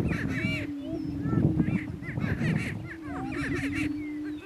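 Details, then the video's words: Greater prairie chickens on a lek in northeast Kansas, two males battling for dominance: a low steady hum beneath dense low rumbling, with quick rising cackles and yelps scattered over the top. "Prairie Chicken Battle"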